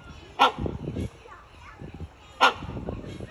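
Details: Great hornbill (Buceros bicornis) calling in its enclosure at the San Francisco Zoo: two loud, harsh, explosive barks about two seconds apart, with low murmuring voices and shuffling noise in the background.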